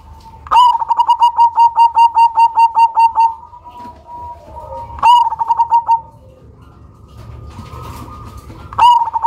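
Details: Cemani zebra dove (perkutut), a loud bird with a distinctive rhythm kept as a lure, giving a fast run of about a dozen evenly spaced ringing coo notes, then a shorter burst and a lone note, indoors.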